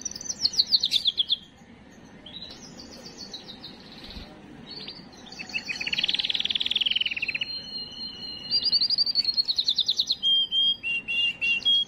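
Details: Song of a canary meant to stimulate females: fast rolled trills open, then a quieter stretch, a dense buzzy roll, and a long whistled note before rapid repeated chips close the phrase.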